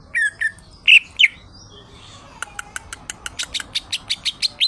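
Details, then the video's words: Cucak ijo, or greater green leafbird, singing actively: four loud whistled and slurred notes, a short pause, then a steady row of sharp, high clicking ticks repeated about three times a second. "CUCAK IJO !!! Gacor"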